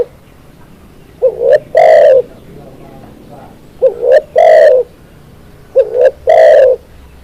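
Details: Three spotted dove song phrases, each opening with a short rising coo and quick note before a sustained resonant coo, repeated at steady two-second intervals, part of a recording used to train birds, with a faint background hum.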